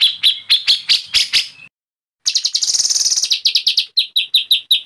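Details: White-rumped shama singing agitatedly: spaced sharp high notes, a silent gap, then a rapid buzzy trill settling into evenly repeated clear whistles.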